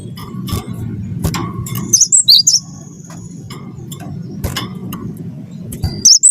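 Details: Cinereous tit of the wingko type, singing freely and used to prompt other birds to sing: a short burst of high, sharp two-note whistles near the end of a low, steady background hum, with a few faint clicks.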